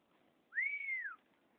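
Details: A pet chopi blackbird, released and flying free, gives one clear whistled note that rises, holds, then falls, lasting about two-thirds of a second. A man calls it back, and it then perches on his hand.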